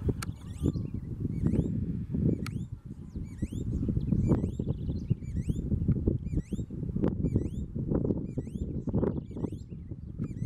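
Green-backed becard giving thin, high, upward-slurred whistled notes repeated quickly in series over a heavy low rumble of wind or handling noise.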